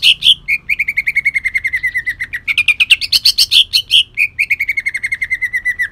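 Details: Kalimantan green leafbird, a caged songbird, singing a loud, rough rapid-fire song: strings of fast chattering notes sliding down in pitch, broken by sharp high whistled bursts, delivered continuously without pause.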